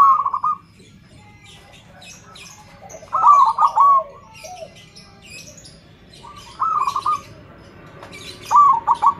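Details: Zebra dove (perkutut) with a loud, full voice, used to get other perkutut singing, repeats short rolling cooing phrases with long pauses between them while small birds chirp faintly.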